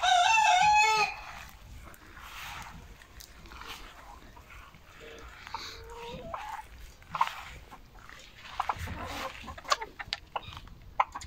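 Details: Hens in a backyard flock on Monday 10 October 2022, when eight eggs were laid; opens with a loud, strained harmonic call about a second long, followed by scattered soft clucks, brief squeaks and rustling.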